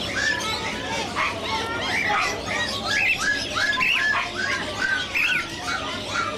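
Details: Caged Scaly-breasted Munias for sale at the Sonepur Cattle Fair in Bihar, India, held in November: several short, squeaky chirps at mid pitch, overlapping irregularly, over steady crowd noise from the fair.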